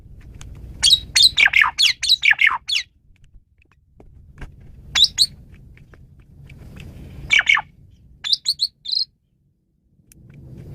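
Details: Asian pied starling singing in bursts for songbird tutoring: dense, squeaky, chattering phrases separated by pauses, with a low rumbling background noise between them.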